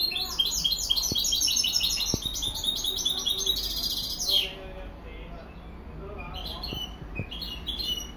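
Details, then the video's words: European goldfinch hybrid pouring out rapid, high tinkling twitters for about four seconds. The song ends in a buzzy slur, followed by a quieter stretch with a few soft clicks, then brief chirps resume. "Mixto jilguero"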